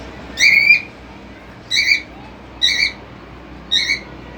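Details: Cockatiel family at their cage, father feeding three chicks while the mother stays out: four harsh, rising screeched calls with rich overtones, spaced about a second apart, over low room hum.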